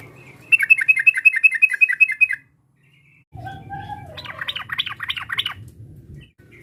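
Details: Sooty-headed bulbul provoking a rival: a crisp, evenly repeated run of about a dozen chirps, silence, then a slurred whistle and a busier chattering burst over low background noise.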